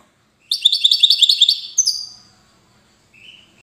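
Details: European goldfinch from Safi: a quick rattling series of high, tinkling notes, then a sharper, slurred note and a faint, thin twitter after a pause.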